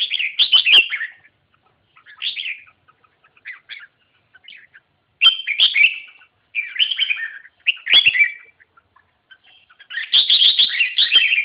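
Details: Red-whiskered bulbul singing bright, warbled phrases. Short, slurred whistles are delivered in bursts with pauses of about a second between phrases. Near the end comes a longer, louder chattering run. There is no other clear sound.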